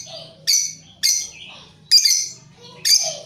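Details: Shrill, rasping lovebird squawks, about one a second, from birds calling back and forth in a long chatter used as a lure, with a low buzzing hum underneath.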